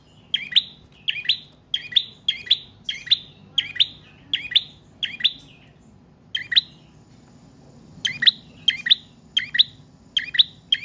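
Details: Prinia in long, continuous song, used as a lure and for training other cage birds: sharp, high chirps in quick pairs, repeated roughly twice a second, with a short pause midway before the bursts resume.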